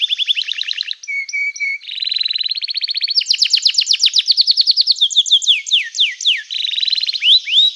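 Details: {'text': 'Canary in full song, played to make other canaries answer. It mixes fast rolling trills, a short burst of flat steady tones, buzzy rapid phrases and loud sweeping whistles, shifting pitch every second or two.'}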